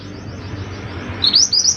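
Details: Mantenan, or scarlet minivet, giving 'gacor' song: after a quiet start, three or four sharp rising whistles come in quick succession, high and clear above a low background hum.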